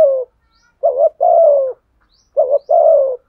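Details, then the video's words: Spotted dove cooing in the deep 'thổ sấm' voice, a call used to draw wild doves into answering: a cut-off coo, then two low phrases, each a short throaty note followed by a longer, slightly falling coo, in silence. "tiếng chim cu gáy thúc gù bổi nghe phải gáy theo luân"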